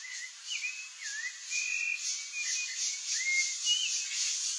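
Rufous-bellied Thrush singing soft, slurred whistled notes, some rising and some falling, in a loose unhurried string, over a steady high hiss of insects.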